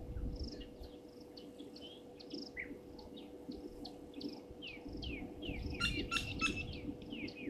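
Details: European bee-eaters heard at a waterhole on Gowrie dam, Djuma Game Reserve in South Africa's Sabi Sand, late afternoon of 15 January 2023; steady run of brief high chirps from several birds, interrupted near the end by a harsher, broader burst of calls.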